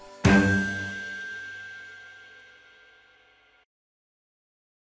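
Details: A single sharp metallic strike rings out and slowly decays over about three seconds, like a struck bell or cymbal, with no animal voice.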